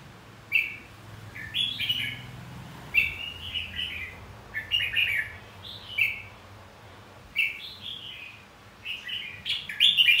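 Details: Red-whiskered bulbul fighting song meant to rouse birds into competitive singing: short, bright, warbling phrases, often rising then falling, given in bursts every one to two seconds over a faint low hum.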